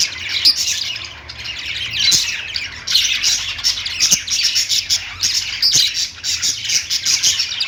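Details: Several lovebirds sing and chirp together, a steady wash of thin, scratchy twittering punctuated by louder squawks and occasional sharp clicks.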